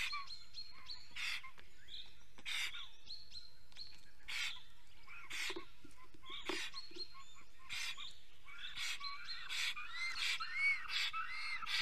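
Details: Estonian black stork singing in the nest at dawn in April: a series of thin, curving whistles and short chirps, broken by regular harsh hissing bursts every second or so, with faint low rustling beneath.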